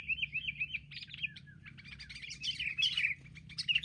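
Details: Group of wild sooty-headed bulbuls boldly ganging up in an attack, later caught: quick liquid whistled phrases, a brief pause, then thick overlapping chattering from several birds, rising and falling chirps.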